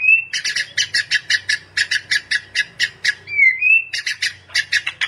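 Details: White-rumped shama singing for training use: a long burst of rhythmic harsh rasping notes, roughly four per second, broken by a clear rising whistle midway, then more rasps; low hum in the background.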